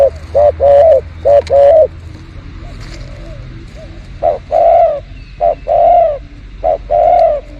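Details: Spotted dove (terkukur) being lured behind house plants: clear low coos in pairs and triplets, short notes then a longer drawn coo, repeated several times, with a faint low hum in the first seconds.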